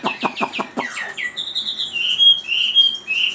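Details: Chinese hwamei giving a burst of harsh clipped notes that slide into a downward slur, followed by a string of clear high whistles, some sustained and ringing.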